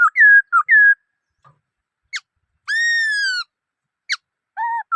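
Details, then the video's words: Black-throated laughingthrush giving varied clear whistles: two rising-and-level notes, sharp upward flicks, one long steady whistle with rich overtones, and a closing pair of short level notes; quiet background. "Noog Sab Hwj Quaj Dib Tuaj Zoo Heev {นกมะเกลือร้องเพลงNk makelụ̄x r̂xngphelng}"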